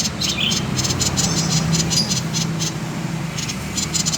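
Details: Common iora, 'konslet' style call, recorded to lure other birds into singing: uneven, scratchy high pulses in a loose rattling series, a few thin chirps mixed in, over a low rumbling background hum.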